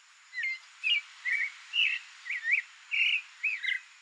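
Creamy-bellied thrush singing a varied run of short, clear warbled phrases, about two per second, each one different in shape, over a steady faint hiss.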